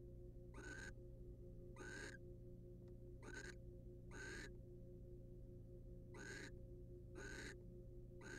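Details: Barn owl couple in a wild nest box, male preening his partner; seven harsh, hissing rasps in loose succession across eight seconds, a faint click near three seconds, constant hum.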